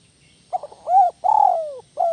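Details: Spotted dove, known locally as tekukur, in the 'kuk 1 melambung' style: a hesitant double note leads into a swelling coo, then a long coo drooping downward, and one last short kuk cut off at the end.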